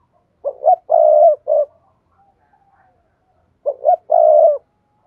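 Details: Spotted dove cooing, a call played to stimulate other doves to call: two short hooted notes, then a longer rolling coo and a clipped final note. The phrase is repeated after about three seconds of silence in a quiet setting.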